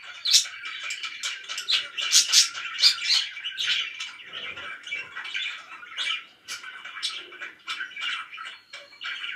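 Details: Pet budgerigars in noisy warbling chatter, high squeaks and clicks loudest early, then a softer, steady twittering.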